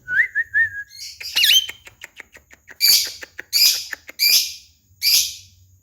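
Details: Javan myna training song meant to prompt a caged talking bird to answer: a few low wavering whistles, a twisting squeaky note, fast dry clicks, then loud harsh hissing bursts repeated about every half second.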